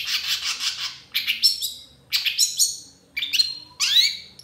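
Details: Lively long-tailed shrike song with tembakan phrases: harsh buzzy burst, then three clusters of rapid chattering notes with upward-sweeping whistles, separated by brief pauses.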